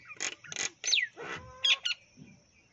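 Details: Unidentified bird in rural Rajasthan, India, giving about six harsh, squawky, rasping notes in just over two seconds, some sweeping downward and some short and clipped, with a faint steady high whine underneath and quiet surroundings.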